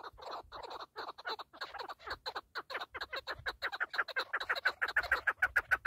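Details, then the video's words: Partridge, keklik in Turkish, in a loud accelerating series of harsh chuck notes that settle into a fast, evenly spaced rhythm of about three per second, becoming ringing toward the end. "KEKLİK / PARTRİDGE 1"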